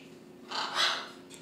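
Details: Pet red-fronted macaw with a small voice, asked by its owner to whistle, gives one short breathy, harsh squawk-like burst instead of a whistle. A woman's voice prompts it before and after in an indoor room.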